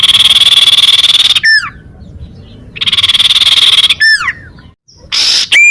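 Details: Sunbird song meant for luring and for prompting rival birds to answer: two long rapid buzzy trills, each followed by clusters of sharply falling whistled notes, then a short final burst.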